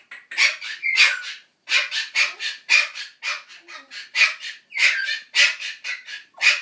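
A Ducorps's cockatoo gives harsh, raspy squawks in quick succession, about two each second, with short pauses between bursts.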